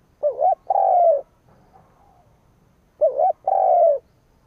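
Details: Spotted dove kept as a decoy bird, cooing to provoke wild rivals: two phrases about three seconds apart, each a short wavering note followed by a longer, steady coo that falls at the end. The background is quiet.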